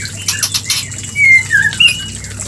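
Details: White-rumped shama giving a mating call meant to trigger breeding: a few clear, drawn-out whistled notes, one falling and one rising, after a brief pause, with a faint hum underneath.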